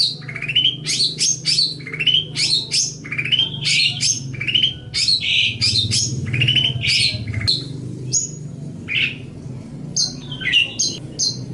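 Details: Tutoring song of a long-tailed shrike for training other birds: quick series of rising whistled notes repeated in a brisk rhythm, then scattered chirps and squeaky high notes, over a low background hum.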